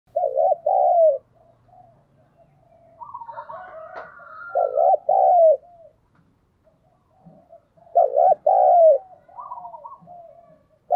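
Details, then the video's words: Decoy Spotted dove cooing to lure wild doves: three loud, low, throaty coo phrases, each a quick double-humped note then a drawn-out falling coo, roughly every four seconds, with fainter softer cooing and a thin higher whistle between. "Chim cu gáy mồi chuẩn thúc & gáy gọi kích bổi nhanh nổi hiệu quả"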